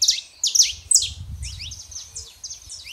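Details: Male and female saffron finches, kept to warm up a quiet canary, singing bursts of sharp, high chirps that sweep downward in quick clusters, with pauses between phrases and a faint low rumble underneath.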